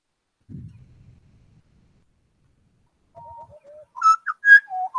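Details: A quartet of Australian butcherbirds sing a few clear, fluted whistles, first lower and then rising to rich, bell-like notes, after a brief low rumble.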